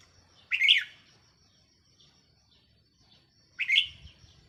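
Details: Decoy red-whiskered bulbul on 4 May 2023 gives two clear, lilting warbled phrases about three seconds apart. Each is a brief bubbly burst, and there is near silence in between.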